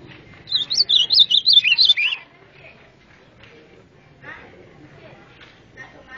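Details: White-throated seedeater (golinha) singing the azulão-style song: one quick warbling phrase of about two seconds, rapid looping high notes sliding up and down and dropping at the end, then quiet with faint chirps.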